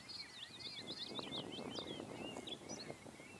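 Common reed bunting giving a run of thin, high, twisting notes that slur up and down, over a steady rushing wind or distant engine noise.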